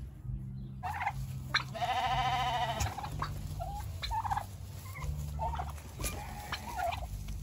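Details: A large Brahma-breed rooster lets out one sustained, harmonic crow of about a second, followed by scattered short clucks, with a constant low droning hum behind.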